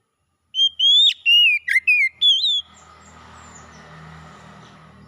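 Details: Oriental magpie-robin song used to restore a stalled songbird: a run of loud whistled notes, sharp upslurs and quick dips, then the phrase stops and a low steady hum remains.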